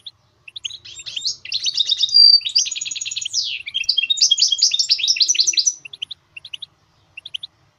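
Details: Singing goldfinch mule: a sustained, high, rapid series of buzzy trills, a sharp whistle and rolling rattles run for about five seconds, then trail off into spaced single chirps.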